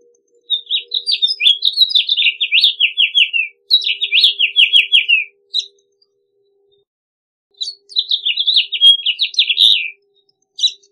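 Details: House Finch song in three long phrases of bright, tumbling slurred notes, each sliding downward, with brief gaps between.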